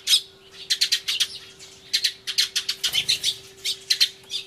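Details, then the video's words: Sparrows crying loudly together, recorded 24 March 2013 with an Everio, turtledove nearby: loud, rapid strings of harsh squawky chirps, roughly five to eight per second, in repeated runs with brief pauses; faint hum throughout. "スズメの鳴き声（大騒ぎ！音量注意） Crying Sparrows"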